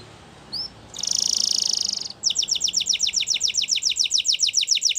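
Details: Spanish Timbrado canary gives two brief whistles, a sustained high buzzy phrase, then a fast even trill of repeated notes over steady background hiss.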